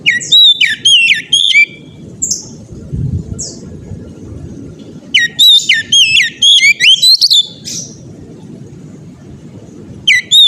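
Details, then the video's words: Oriental magpie-robin in ngeplong gacor style, sung to make other magpie-robins sing. Loud, varied whistled phrases of rapid rising and falling notes and sharp chips come in bursts separated by pauses, over a low background rumble. "kacer ngeplong gacor ngotot ampuh bikin kacer lain ikut bunyi gacor ngeplong"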